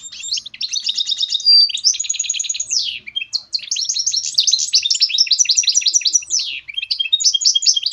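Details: Continuous, energetic twittering song of a goldfinch mule, a goldfinch hybrid: buzzy trills, a brief pure whistle, sweeping slurs and rapid chattering notes run almost without a break.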